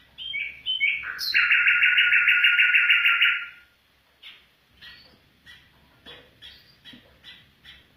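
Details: Afghan bulbul opening with a few warbled notes, then a loud, dense buzzy trill held for over two seconds, followed by soft, irregular chirps.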